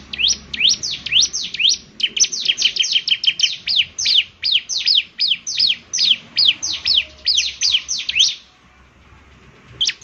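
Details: Bar-winged prinia in vigorous song: a long run of quick, high, downward-sweeping notes, speeding up in the middle, stopping abruptly after about eight seconds, followed by quiet.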